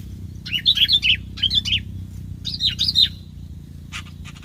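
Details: Bulbul decoy for bird trapping singing three short bursts of bubbly, warbled whistled notes with brief silent gaps, followed by faint scratchy sounds, over a low hum.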